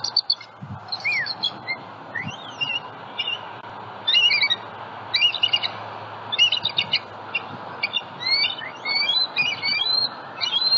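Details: Bald eagles at a Southwest Florida nest holding eggs, recorded by a live nest camera on a February 2020 morning; squeaky, high piping notes and slurred chirps come in quick uneven clusters over faint background noise.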